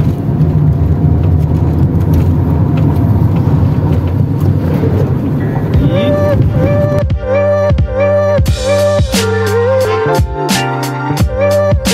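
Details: A low vehicle rumble gives way to music with a steady beat and sustained tones; no animal voice comes through.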